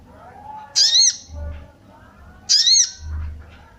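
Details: Calling female sooty-headed bulbul, a 'cuit cuit' sound meant to bring males into breeding mood. Two rasping, arched squawk notes sit about 1.7 seconds apart, with a muffled low rumble between them.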